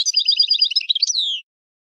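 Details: Goldfinch singing a quick, even trill of paired high notes repeated rapidly for about a second, ending in a drawn-out descending whistled note; clean recording with nothing else audible.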